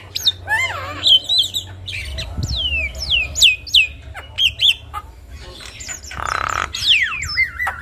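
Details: Javan myna (jalak kebo) singing a training song rich in varied, copyable phrases: sharp high downslurred whistles, several quick repeated slurs, then a broad noisy burst near the end, over a faint low hum.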